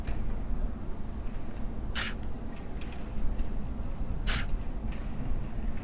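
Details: A nesting white stork on the town hall tower in Alcalá de Henares, Spain, coughs again at night while covering its chicks: two short, breathy cough-like bursts about two seconds apart, over a steady low rumble.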